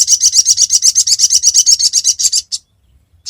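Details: High, rapid rattle of repeated chirps from a sogon used as a trapping lure, about twenty notes over two and a half seconds, then a pause and a fresh start.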